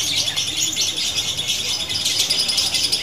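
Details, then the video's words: Female lovebird of fighter type singing nonstop, a continuous high, scratchy torrent of fast chirps and trills with no break across the whole stretch. "Lovebird betina fighter ngunci!!! pitbull jedanya gak kalah ama burung konslet"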